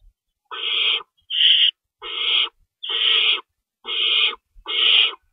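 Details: Owl at the nest during feeding time in the early hours of March 25, 2012, two rabbits on hand; six grating, hissy screeches, evenly spaced, about one a second.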